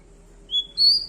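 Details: Bar-winged prinia giving two pure, high whistled notes in quick succession, the second higher and longer than the first, over a quiet low hum.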